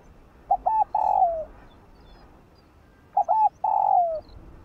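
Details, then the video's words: Morning song of a spotted dove, part of a full calling, urging and cooing sequence: two phrases about two and a half seconds apart, each two brief hooked notes followed by a long mellow coo falling at its close. "Cu Gáyg Kích Bổi Buổi Sáng Mau Nổi . Cu Đất Gáy. cu cườm"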